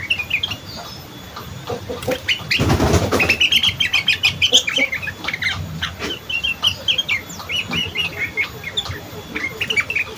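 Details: Young sooty-headed bulbul singing in the chattering ngriwik style: rapid bright chirps and short twittering phrases run together almost continuously, broken near the middle by a loud rustling burst like flapping wings.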